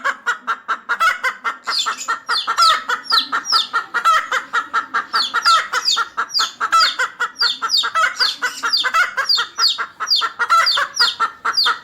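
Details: Pet chicken, with a one-week-old chick and a six-month-old bird, gives rapid rhythmic clucking about every quarter second, mixed with many high, falling peeping chirps throughout.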